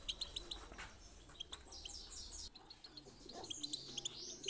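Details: European goldfinch song meant for teaching birds to sing and bringing them into singing mood: rapid bright high chirps and twittering notes, many short clicks in quick bursts, with a light low hum beneath.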